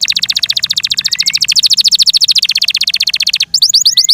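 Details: Yorkshire canary, a pet bird, delivers a fast continuous rolling trill of bright clipped notes for over three seconds, ending in quick falling whistles.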